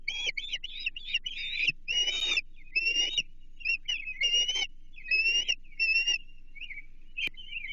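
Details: Ospreys at their Chesapeake nest during a feeding with an American shad on 28 June 2023 give bursts of piercing, slightly wavering whistled chirps in groups, broken by short pauses and soft scuffling noises.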